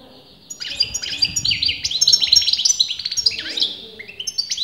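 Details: European goldfinch of disputed sex in steady song: a fast chain of sweet chirps, short trills and descending slurs, tumbling on after a quiet start.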